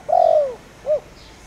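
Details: Spotted dove lure in Thổ Đồng voice, meant to set wild doves calling: one long low purring coo that sinks in pitch, followed by a short rounded coo.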